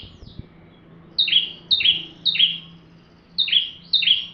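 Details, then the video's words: A bar-winged prinia in full song for training white-rumped shamas. A faint low hum runs at the start, then crisp high downslurred double notes begin after about a second, repeated in evenly spaced pairs. "Burung ciblek tamu fulll gacor cocok untuk masteran murai batu"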